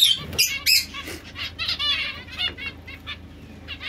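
Society finch: high, thin chirps and buzzy warbled notes in quick, irregular bursts, with a few soft wing flutters.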